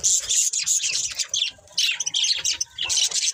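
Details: Several bursts of shrill, rasping budgie chirps and warbles, broken by brief pauses, with fast squeaky notes tumbling over one another.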